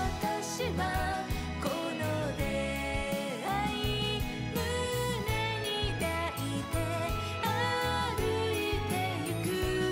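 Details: Cheerful instrumental music with tinkling bell-like notes plays throughout, with no animal voices.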